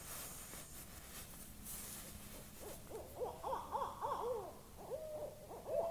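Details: An owl calling in Topsham, Maine, on 25 September 2015: a run of rapid, wavering, harmonic hoots and squeals in quick succession, rising and falling, over a steady low background hum.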